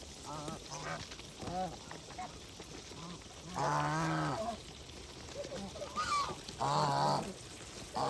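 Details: Farm geese while feeding, giving several deep nasal honks with rich harmonics, spaced irregularly through the recording, the loudest a drawn-out honk near the middle, over a soft background murmur.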